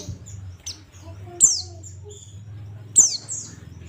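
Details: Oriental white-eye in the ngalas song style: sharp, very high, downward-sliding whistled notes near 1.4 and 3 seconds, scattered thin chirps in between, all over a steady low hum.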